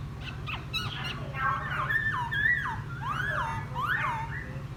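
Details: Wild-caught laughingthrush after ten days in captivity sings after a bath, giving loud slurred whistles that swoop up then down, several looping phrases over a constant low mechanical hum.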